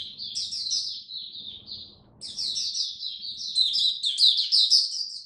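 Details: Kept oriental white-eye in cold rainy weather, 8 October 2022, diet adjusted; high, rapid warbling chirps, a short silence, then a louder, denser run of bright twittering notes, with a quiet low hum.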